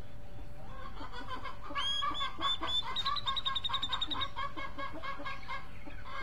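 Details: Cucak jenggot, the grey-cheeked bulbul, sings a lively phrase: high ringing whistled notes repeated quickly for over two seconds over a busy layer of lower chirps and chatter. A faint steady tone runs underneath.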